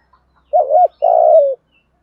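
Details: Decoy spotted dove calling its flock in the morning gives a wavering hollow coo followed at once by a longer buzzy, vibrating coo that drops slightly at its end; quiet otherwise.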